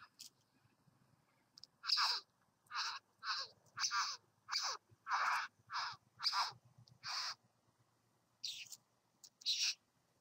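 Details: Satin bowerbird, a visitor at a bower, giving a series of about ten harsh, rasping buzzy notes, spaced roughly half a second apart, with a few softer ones near the end.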